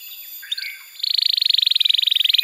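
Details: Canary tutor song for juvenile birds: soft, faint twittering for a second, then a loud, very fast, even buzzing trill held to the end.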